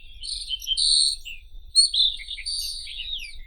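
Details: White-throated robin song: drawn-out high whistles and slurred notes mixed with quick chattering, over a faint low rumble of background noise.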